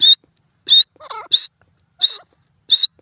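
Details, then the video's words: Grey francolin, called teetar, likely a female voice: loud high whistled rising notes repeated about every two thirds of a second, with softer wavering lower notes between them. "gray francolin teetar ki awaz dakhni teetar voice"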